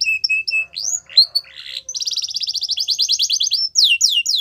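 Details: Yorkshire canary singing a training song for young canaries: clear whistled notes, then fast rattling trills of repeated rising syllables, ending with sweeping downslurred whistles.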